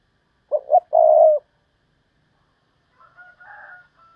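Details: Decoy spotted dove cooing to lure wild doves in thúc bổi style. One phrase of two short coos and a long drawn one, followed by faint, softer calls.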